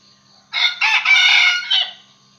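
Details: A red junglefowl decoy bird crows to entice wild roosters. The single bright, buzzy crow has four linked parts, and the long third part is the loudest, set against a quiet background.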